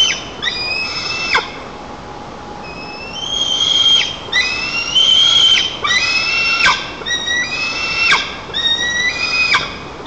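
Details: White-tailed eagle (Haliaeetus albicilla) chicks at a nest 35 m up in Nizhnyaya Kama National Park, Tatarstan, 5 August 2024, greet their father with excited, high, upslurred whistled yelps in overlapping bursts, jostling so hard the fish fell.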